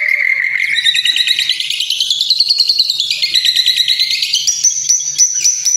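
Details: White-rumped shama (murai batu) kretekan song from training material intended to provoke emotion. A rapid, rattling series of buzzy pulsed notes climbs steadily in pitch, then ends in a few sharp, high repeated clicks.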